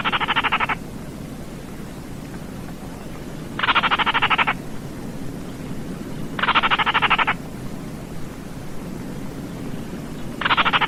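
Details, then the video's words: Baillon's crake calling: short dry rattles of rapid clicking pulses, each under a second long, repeated about every three seconds, four bursts in all, with a constant low hiss behind. "SUARA BURUNG RAWA TIKUSAN KERDIL"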